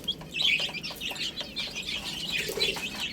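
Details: Baby chickens feeding on spinach make quick, high chirps in short bursts. Soft scuffling and flapping-like noises run beneath them.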